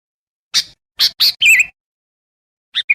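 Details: Sooty-headed bulbul lure recording for attracting wild birds: a few sharp chirps building to a short warbled phrase, then silence and two brief closing notes.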